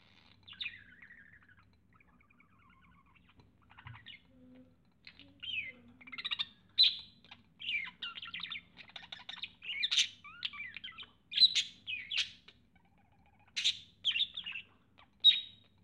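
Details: A budgerigar seeing a big mirror for the first time chatters in bursts of quick, buzzy warbles, chirps and clicks.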